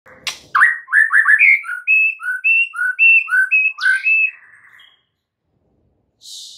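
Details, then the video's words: White-rumped shama singing in the morning, used to get a silent bird answering and singing freely: a loud run of clear whistled notes rising and falling in quick succession, then a fading trill and silence, with a brief hiss at the end. "mUrai MACET jadi NYAUT GACOR di PAGI HARI"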